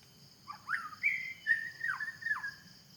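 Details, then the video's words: Wild white-rumped shama in a forest: clear whistled phrases with slurred rising and falling notes, several sustained tones, over a steady insect drone and faint low hum. "the sound of birds in the forest.wild white rumped shama"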